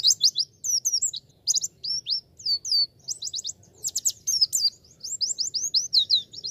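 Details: Nearly continuous high chattering song of a Javan white-eye, made of fast, sharply falling whistled chirps packed closely together, with a faint low background murmur.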